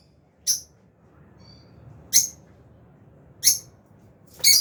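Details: Four piercing high chirps, about one every second and a half, from albino and Fisher's lovebirds in an aviary, with a faint whistle between the first two.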